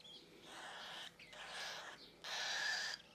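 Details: Cockatiel chick, lifted from the nest box a couple of hours earlier, giving a feeding reaction at its first hand feeding with a syringe: three harsh, raspy, hissing bursts, each under a second, with short pauses between.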